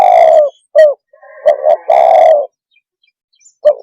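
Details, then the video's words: Spotted dove (tekukur) calling to agitate other birds: a long, loud, slightly falling coo, a short downslurred note, then another drawn-out coo, with faint high twittering of small birds in the background. "Suara kicau Burung TEKUKUR cepat membuat Emosi burung - TEKUKUR鸟的声音"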